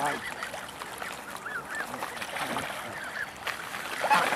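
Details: Several geese, with mallards and goslings nearby, give short nasal honks overlapping at an uneven pace, while a person talks nearby over background murmur.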